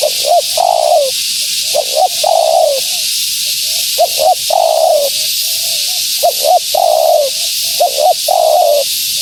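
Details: Calling female spotted dove meant to draw in wild doves: phrases of two quick upswept coos followed by a drawn-out sliding coo, repeated with soft faint coos between, under a hissing background.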